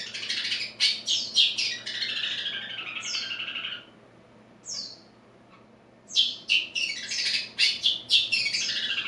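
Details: Young caged long-tailed shrike from Madura, just bathed, still learning and arranging its song imperfectly: harsh scratchy chatter and rasping bursts, a pause with two short whistled slurs, then renewed rapid scratchy phrases.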